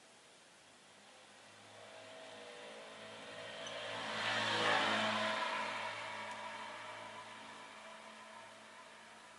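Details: A vehicle approaches, swells to a broad whoosh and fades away over a low steady hum; no animal calls.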